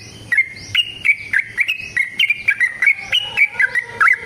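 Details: A yellow-vented bulbul's fighting-style song for goading kept birds into song: a run of clear, slurred whistles rising and dipping in pitch, delivered about three per second, with crisp clicking between notes.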